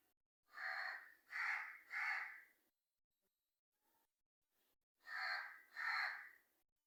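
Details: Three coarse caws from a black crow, a quiet gap with faint small noises, then two more caws close together.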